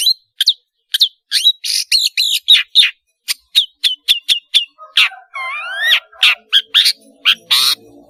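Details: Long-tailed shrike singing actively with a melodious voice, recorded to tutor young birds; quick chips and chattering notes tumble in a steady run, then a few rising whistled slides and harsher buzzes close the phrase.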